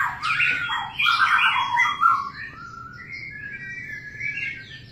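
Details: White-rumped shama singing while mating: loud, slurred whistled phrases swooping up and down, strongest in the first two seconds, then softer, higher warbling trills with a low steady hum underneath.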